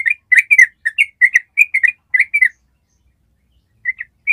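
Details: Long ropel song of a yellow-vented bulbul, used as a master recording for training other birds. A rapid string of bubbly warbled notes lasts about two and a half seconds, breaks into silence, then resumes with a few chirps.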